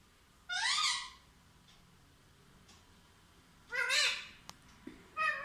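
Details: Pet parrot talking: a rising harmonic call, a long silence, a second similar call, then a soft click and the start of another.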